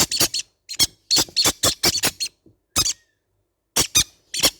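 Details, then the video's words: Green-cheeked conure babies squawk in scratchy, high bursts, a rapid string of about six notes, a pause, then a few single and doubled squeaks. "sound of baby green cheek conure parrot birds"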